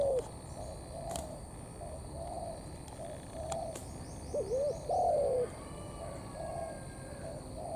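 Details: Wild-caught spotted dove cooing in thổ pha cấn sấm style: soft faint coos from farther off, then one clear phrase of a hooked double note and a longer descending coo; faint twittering of other birds.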